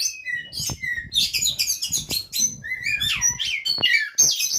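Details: Oriental magpie-robin at a breeding facility in Banjarnegara, Central Java, singing a rich, fast medley of whistles, chirps and downslurred notes, bright and varied, with faint knocks underneath.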